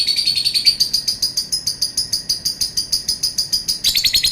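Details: Lovebird in a long call: steady, rapid rhythmic chirps at roughly three per second, high and buzzy, with a brief harsher flurry near the end.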